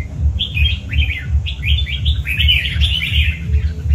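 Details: Tiger-type red-whiskered bulbul kept as a pet delivers a fast string of sweet, slurred whistles, each note dipping and rising, in near-continuous phrases above a pulsing low rhythmic hum.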